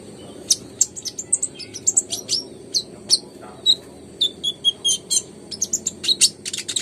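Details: Brown-throated sunbird (kolibri ninja) in lively song used as a lure for birds slow to sing: rapid, very high, sharp chirps and short twittering notes in quick irregular bursts over a steady low hum.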